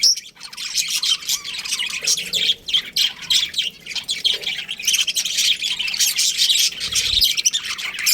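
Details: Many budgerigars kept together in a colony, chirping and squawking nonstop in a busy, scratchy chorus of short overlapping notes.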